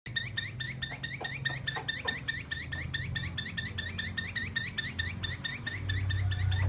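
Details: Captive Chinese hwamei of the fighting type, kept for sale, repeating a short upslurred note about twice a second in a steady series, with a low indoor hum underneath.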